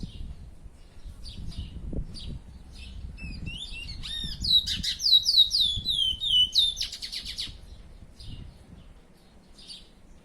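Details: Chestnut-bellied seed finch, a pet curió, gives quiet chirps, then bursts into a loud fluid passage of rapid sliding whistles mid-clip before fading back to sparse soft notes.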